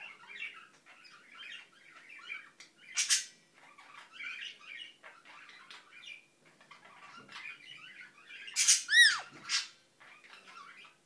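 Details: Pet Indian ringneck parakeet mumbling: soft, continuous chattering murmurs in short bursts, broken by two sharp, loud squawks and a clear, downward-sliding whistled note near the end.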